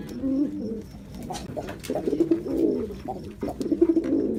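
A Jacobin pigeon gives low, throaty rolling coos in short bursts, several in quick succession, with a faint room echo.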